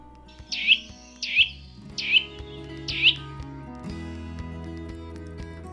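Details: Eurasian nuthatch (Sitta europaea) giving four loud, sharp piping calls, each dropping in pitch, about one every 0.8 seconds, over soft background music.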